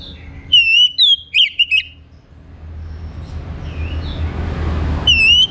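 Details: Orange-headed thrush singing in the morning, played as a lure to prompt other birds to sing: a few loud whistled notes and twisting slurs early on, a faint rustly gap, then one more rising whistle, over steady low traffic-like rumble.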